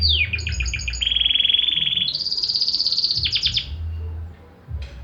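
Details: Varied Belgian canary song: a jumble of quick notes, then a long, even rolling trill, a higher trill, a burst of falling chirps, and a brief quiet stretch near the end.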